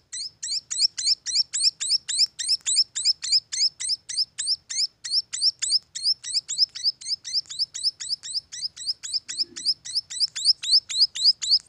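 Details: Baby munias chirping insistently, a long fast series of shrill high notes at close to four per second, with one brief low sound partway through.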